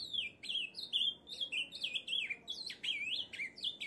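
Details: Ultramarine Grosbeak singing a lively Brazilian songbird phrase of sharp slurred whistled notes, some dropping steeply, repeated briskly with brief gaps, clear against quiet background noise.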